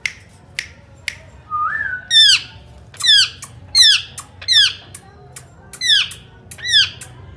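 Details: Indian ringneck parakeet, a pet talking parrot, gives a rising whistle followed by a steady series of harsh downward-sweeping squawks roughly every three-quarters of a second, with clicks between, indoors.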